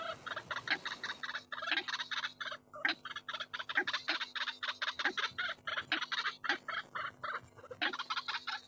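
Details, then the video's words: White-breasted waterhen calling for luring: continuous rapid series of raspy, grating pulses in rhythmic phrases, steady chattering tempo with deeper accents recurring about every second, slight hiss behind. "SUARA BURUNG RUAK-RUAK SUPER AMPUH"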